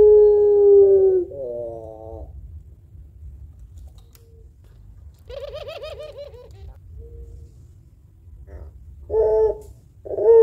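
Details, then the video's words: Puter pelung dove known for long cooing: the end of a steady coo, a warbling note, a soft rolling purr mid-clip, then two short loud coos near the end. "Burung Puter Pelung Gacor Suara Panjang Kuwok Tebal Cocok Buat Pancingan"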